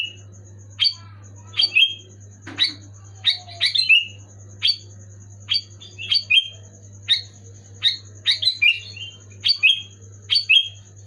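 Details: Sooty-headed bulbul in full song, loud and clear, played to prompt silent pet bulbuls to sing. Short bubbly whistled phrases, each dropping in pitch, come roughly every half second to second over a steady low hum and a faint high tone.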